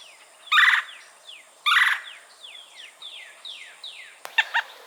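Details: Red-bellied woodpecker calling in Florida, filmed on a Canon R5 C: two loud harsh rolling notes about a second apart, then fainter descending squeaky notes, ending with a short burst of sharp chatter.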